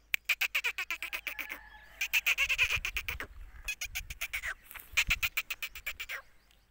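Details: Black francolin calling: rapid series of harsh, clicking pulses repeated about four per second in bursts separated by short pauses, with a bright rasping band of tone running through each burst.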